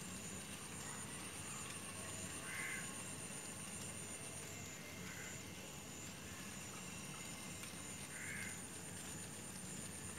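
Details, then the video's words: Little egrets chasing each other, perhaps over food, as one gives three short, harsh, croaking calls a few seconds apart over a steady engine rumble and a high, thin background hiss. "The little egret sound(Egretta garzetta)"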